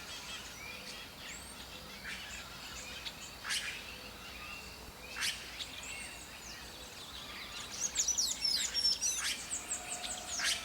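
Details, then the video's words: Red-rumped cacique (guaxe), Atlantic Forest bird: scattered sharp chirps and short whistled notes, then a louder burst of rapid high squeaky twitters near the end, over steady insect-like background hiss. "Guaxe (Cacicus haemorrhous)"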